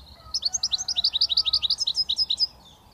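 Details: A British goldfinch, young and just beginning to whistle, runs off a steady series of clear, high twittering notes at a fast, even pace for about two seconds.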